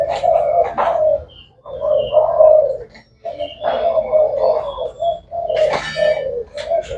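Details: Spotted dove of the Thai black type, a bird sold as calling all day, giving low, breathy coo phrases separated by short pauses, plus a few clicks and faint chirps.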